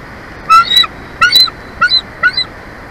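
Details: Bald eagle pair at their nest in Big Bear Valley, California, on a live nest camera, 2 April 2024 around 12:14. Four quick, high, squeaky chirped calls in pairs over about two seconds, with steady background hiss.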